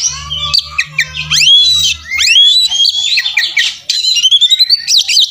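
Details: A fighting Oriental magpie-robin sings a tutoring song packed with imitations: sharp rising whistles, then fast chattering phrases and bright repeated notes, over an intermittent low hum.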